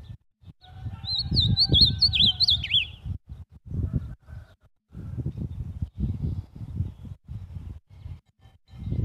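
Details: Kept ultramarine grosbeak (azulão) singing a brief warbled phrase of high, zigzagging sweet notes lasting about two seconds, followed by bursts of low rumbling handling noise.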